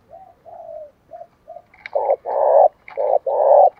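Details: Spotted dove decoy cooing to excite wild doves. Several soft falling coos lead into four loud, broad, harsh-edged coos in quick pairs, the longer ones held steady.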